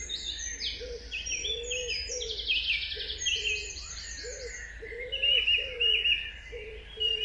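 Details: Early-morning dawn chorus of many songbirds. High, fast trills and twittering phrases overlap continuously, over a low, soft, repeated cooing hoot and a steady low hum.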